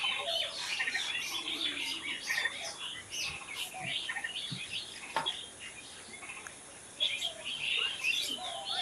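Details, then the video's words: Natural bird chorus of many high, scratchy chirps and twitters crowding together, busiest at the start and end, with a quieter lull in the middle and light background hiss. "Natural Birds Chirping"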